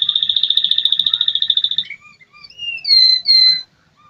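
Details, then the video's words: Song of an American Singer canary, opening with a rapid, even trill of high notes, then breaking into a varied series of clear whistled slurs at different pitches. "American singer canary"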